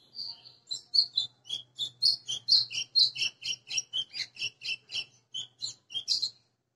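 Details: White-throated seedeater (golinha) recorded 20 April 2020, singing in the açoitando azulão style: a fast, uneven run of sharp, high chirped and whistled notes, about two per second, sustained for six seconds.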